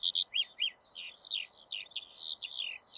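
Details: Eurasian skylark pouring out a rambling song of high twittering notes and short slurred whistles in a nonstop flow, with a faint hiss in the background.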